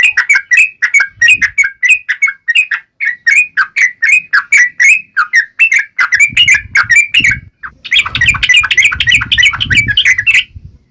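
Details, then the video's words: Continuous, sharp chattering song of a yellow-vented bulbul meant to stir other birds to reply, fast repeated whistled notes that grow denser and harsher toward the end, with faint low rumble. "KICAU SUARA trucukan gacor NGALAS TAJAM"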